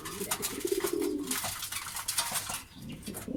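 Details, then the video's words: Pigeon giving one short, low, throbbing coo early on. Sharp clicks, rustling and wing sounds from the flock follow. "Pigeon Sound"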